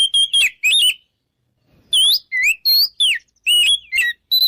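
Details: Oriental magpie-robin in full 'ngeplong' song used as a lure to make rivals want to fight. Sharp, clear whistles swoop up and down in short bursts, with a brief silent pause near the start.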